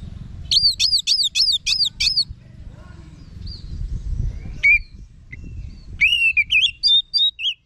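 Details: Orange-headed thrush opens with five quick repeated slurred notes, then scattered softer calls and a closing run of bright whistled notes.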